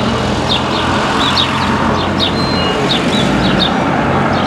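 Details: House sparrow in the streets and squares of the town of Paramirim, giving short, bright chirps in quick, uneven bursts, partly buried under a steady roar of road traffic.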